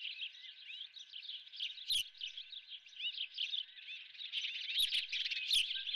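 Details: On the Dunrovin nest an osprey holds a live golden fish for breakfast; high chirps and short upslurred whistles tumble quickly, broken by a few sharp thumps.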